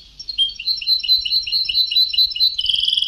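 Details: Liquid, bouncing high chirps from a European goldfinch on an old Sebtawi song tape, repeated in an uneven run, ending with a quick, even, tinkling trill.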